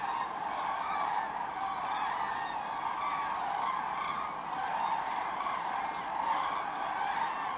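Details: Part of a 24,000-strong common crane gathering coming into roost in the Kvismaren wetland: loud, rolling bugles overlap without pause into a dense, steady chorus that swells and eases every second or so.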